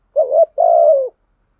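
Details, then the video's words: Decoy spotted dove giving a single thúc gù coo phrase meant to provoke rivals: a short wavering low note, then a longer steady coo that drops at the end. "chim cu mồi thúc gù bài bản nhất hiện nay, chim cu gáy kích bổi hiệu quả nhất hiện nay"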